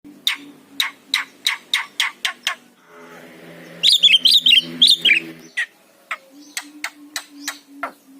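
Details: Javan myna master song recording, meant to prompt lazy mynas into singing: a run of sharp clicking notes about three per second, then a brief high warbled whistling burst, then more spaced clicks over a faint low hum.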